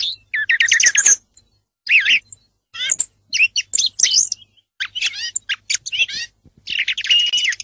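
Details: A song thrush sings clear phrases: a rapid note repeated four times opens the clip, followed by separate bursts of sharp whistles, buzzy trills and squeaky chirps with short silences between them.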